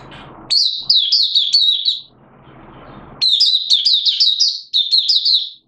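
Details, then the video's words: Oriental white-eye of Malaysian origin (mata puteh), buka sing style, recorded in Singapore on 29 March 2023 in warm, humid weather with sudden showers; two bursts of fast, high, sweet chirping notes with a low rumble between them. "Malaysian Mata Puteh Buka Sing"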